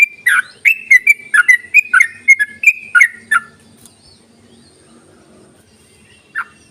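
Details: Yellow-vented bulbul call meant to entice silent bulbuls into singing: about a dozen quick, liquid whistled notes in the first three and a half seconds, then near silence broken by one final short note.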